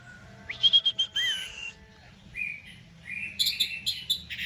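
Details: A young, recently moulted caged Orange-headed Thrush, hung low for conditioning while a cat lurks nearby, sings a burst of clear, high whistled notes, a brief pause, then a lower buzzy phrase and quick varied chattering notes, over a faint hum.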